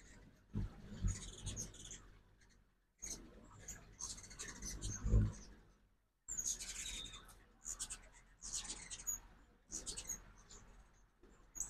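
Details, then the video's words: Fall migration ruby-throated hummingbirds visiting a backyard feeder one morning in Oxford, Mississippi; clusters of shrill chips and twitters arrive in separate bursts, with a couple of louder low bumps and brief silences between. "2024 Hummingbird Fall Migration Morning Part 1"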